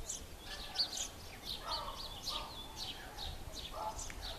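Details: Bushtit calls: rapid high, thin tsit and twitter notes from several birds, with some lower, softer notes mid-clip and steady low background noise.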